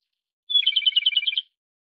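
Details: Japanese robin singing one phrase: a thin, sharp opening note, then a rapid rattling trill of around twelve evenly spaced notes, bright and ringing, ending abruptly after about one second, with silence around it.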